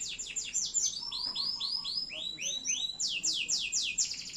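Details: Canary singing in the long-duration loper style: rapid high descending sweeps, then slurred upswept whistled notes in a smooth series, closing with fast buzzy descending sweeps.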